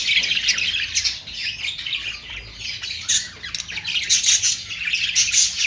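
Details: Budgerigar chattering: continuous high scratchy warble of chirps and squawks, steady and busy throughout with brief bright peaks.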